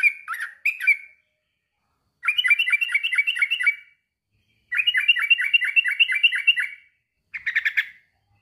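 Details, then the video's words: Male sooty-headed bulbul calling a rival: three bursts of quick, bubbly, rolling chatter, each of about ten notes lasting around two seconds and separated by short pauses, plus brief opening and closing phrases. Quiet background. "kicau suara trucukan jantan memanggil lawan"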